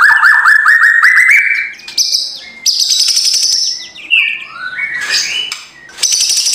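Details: Morning murai batu (white-rumped shama) song meant to goad a reluctant bird into singing: a stuttering run of rising whistles, then high sustained tones, harsh rattles and swooping notes, loud and busy.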